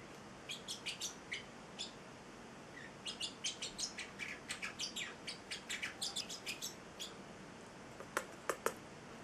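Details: Male Celestial parrotlet aged eight weeks chattering indoors: steady series of short, high, tick-like chirps, roughly three per second, ending with a few louder sharp clicks.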